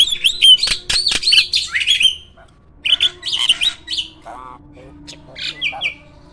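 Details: A caged hybrid jalak used as a master singer for other birds: dense bursts of harsh chatter and whistles, then short scratchy phrases and a few clear downslurred notes.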